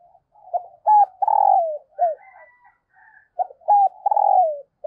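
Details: Female dove calling to stimulate males: low, hollow coos given in two matching phrases, each a few short hoots followed by a longer coo that slides downward, with silence between and no other sounds.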